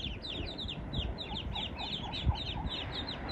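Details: Ducklings of the Eastern spot-billed duck with their mother, strayed away from any waterside; rapid chorus of high descending peeps, joined by a row of lower short notes about twice a second, one knock midway.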